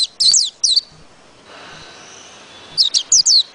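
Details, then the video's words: High, sweet twittering phrases from a white-eye, broken by a pause of about two seconds, then a new run of rapid down-slurred whistled notes. "Chim Vành Khuyên hót cực hay Tiếng chim vành khuyên hot"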